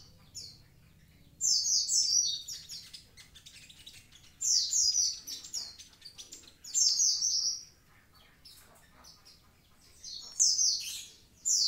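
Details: Energetic song from a Javan pied starling: clusters of shrill descending whistles and scratchy chatter recurring every two to three seconds.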